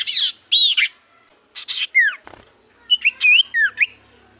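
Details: Common iora lure song to set other birds singing: loud harsh slurred notes at first, then downward-sweeping whistles and a final cluster of quick rising and falling whistled notes.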